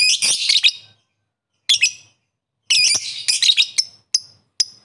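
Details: Lovebird calling rivals: grating, high chattering bursts broken by pauses, ending in two short clipped shrieks.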